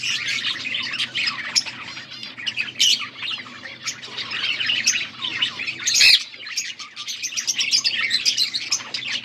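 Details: Budgerigars squawking and chirping, recorded August 14, 2024: a busy stream of raspy warbles and high tweets, one sharp loud click-like squawk around the middle, faint hum below.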